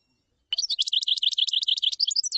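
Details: Common chaffinch, called tabbalat, singing a steady, high series of rapidly repeated sharp notes that forms a continuous rattling trill for about two seconds, with nothing else audible.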